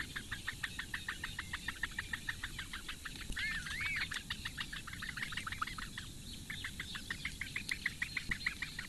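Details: At a Latvian reedbed nest on Lake Engure, four great bittern chicks beg at breakfast time on 15 May 2017: quick repeated ticks, interrupted by a brief wavering whistled note before the ticking resumes.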